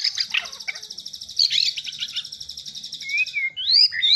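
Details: White-rumped shama pouring out a long high rattling trill, then closing with clear rising and falling whistled slurs.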